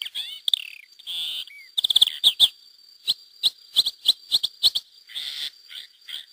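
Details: A wild Lesser Grey Shrike pair and chicks, released in 2009 through hacking, at Mas de Melons–Alfés in Lleida, Spain: a few scratchy downslurred notes, then a fast series of hard rasping clicks and chirps, over a faint steady high hum.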